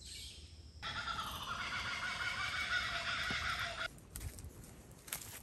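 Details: In the wet season, a kookaburra bursts into a loud, raucous cackling scream lasting about three seconds, with steady rain or wind noise behind it.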